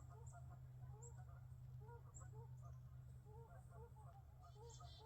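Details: A flock of geese near a lake on a pre-winter woodland trail on Sugarbush Island near Kingston, Ontario, Canada, gives a steady chorus of short, nasal, overlapping honks, several each second, over low wind rumble, with faint high chickadee notes.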